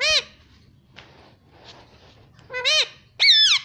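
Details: Pet Indian ringneck parrot indoors, giving loud, harsh, arching squawks with rich harmonics: one short call at the start, then two stronger bent calls near the end, separated by quiet hiss and faint rustling.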